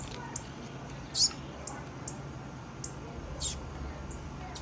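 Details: A female blue-black grassquit gives one stronger high, brief chip among several softer thin ticks, spaced unevenly over a steady low rumble.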